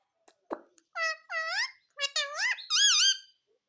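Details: Pet Indian ringneck parakeet talking, said to repeat "mummy mummy": a string of five rich, nasal, voice-like syllables with wavering, up-and-down pitch, growing louder toward the end, indoors in a small room.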